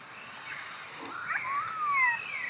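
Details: Pied Currawong (Strepera graculina) calling at Takarakka Bush Resort, Carnarvon Gorge, Queensland, Australia, 21 July 2019 before noon, filmed on a Panasonic Lumix GH5; ringing whistled notes sliding up and down, a long falling glide, then a bright high whistle.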